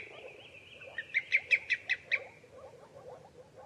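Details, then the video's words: Common greenshank: a short burst of six sharp ringing notes in quick succession after a faint drawn-out tone, with softer lower calls murmuring throughout. "صوت الطيطوي اخضر الساقGreen shank sound _call"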